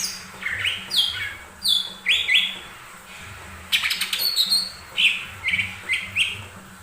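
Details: Song of a lesser green leafbird played to spur other birds to sing. Bright upslurred whistles come in clusters, broken by a short scratchy burst midway, then more rising chirped phrases.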